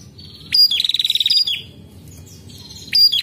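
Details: Lively female prinia, kept to provoke other prinias into calling: a quick rising note opening a tight rattle of clicking pulses lasting under a second, followed by a quieter buzzy phrase and another sharp upslurred note.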